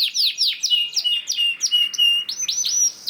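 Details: Canary song played as a lure for other canaries: a short run of loud, clear whistled notes sliding down, then slow arched upsweeps, roughly one and a half per second.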